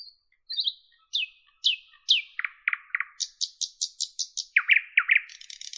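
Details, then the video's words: Song of a Northern European nightingale: sharp descending high notes, then an accelerating series of evenly spaced clicking chirps, ending in lower downslurred notes and a buzzy burst. "Northern European Nightingale Birdsong"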